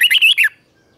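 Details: Red-whiskered bulbul singing a morning training song in the lively 'chè' style, recorded in 2024: one brisk half-second phrase of bright, warbled, slurred notes, then silence.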